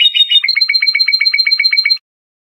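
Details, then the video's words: A trained Iranian goldfinch sings Lor-style tutoring song for juvenile birds: a short warble opens into a fast, evenly spaced trill of about fifteen clipped notes, then stops abruptly. Nothing else is heard. "Iranian trained Lor goldfinch song for training juvenile songbirds."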